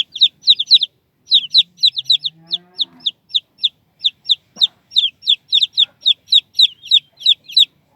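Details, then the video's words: Chicks produce loud, clear, high-pitched squeaky peeps, each a quick downward slur, repeated in fast regular series about four per second, with a short pause and a faint low rustle. "cute chicks and squeaky squeaky sounds"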